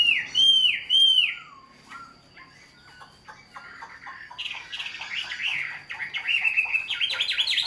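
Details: Tame caged Chinese hwamei giving two loud looping whistles, a quieter pause, then rising into a fast chattering trill of bright repeated notes.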